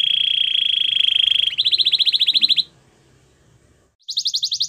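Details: Belgian canary warming up for females with a sustained low buzzing roll, a quick higher trill, a silence, then another rapid bright trill.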